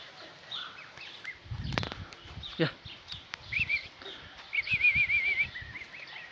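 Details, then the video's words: European goldfinch sings bright, liquid twittering phrases with quick rolling trills, broken by a couple of low thumps and knocks. "Saka kuşu marol keyfi"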